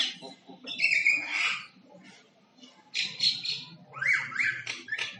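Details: Common myna making different sounds like singing, with harsh buzzy squawks, a pause, then rising whistled slurs and chatter.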